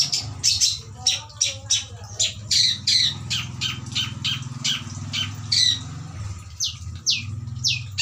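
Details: Caged shrike kept as breeding stock, singing a full, varied song: rapid series of harsh, scratchy high notes repeated about twice a second, with a steady low hum underneath.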